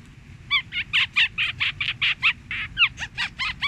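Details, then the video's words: Fantail song, a recording meant as a lure for trapping birds: a quick series of bright, squeaky notes, some sliding up or down, about two to three each second over a faint low hum. "Tiếng Chim Rẻ Quạt Hót"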